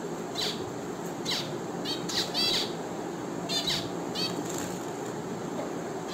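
A finch gives short, squeaky, slightly buzzy chirps, singly or in quick pairs about once a second, over a steady hiss of background noise.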